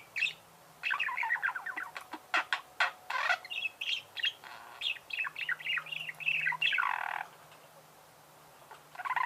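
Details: Budgerigar song: lively chattering warble of rapid chirps, rasping buzzes and clicks for about six seconds, then a pause and a final chirp.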